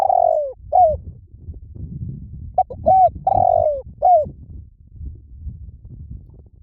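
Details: Spotted dove giving low coos. A long falling coo and a short note are followed by a fuller phrase with quick notes, a drawn-out croo and a final coo, over steady low rumbling background noise.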